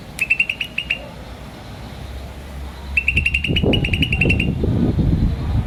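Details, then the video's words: Green starling chirping in two rapid series, a short run of quick high notes followed after a pause by a longer one, with low rumbling and thumping growing louder toward the end. "Green Starling Chirping Sound"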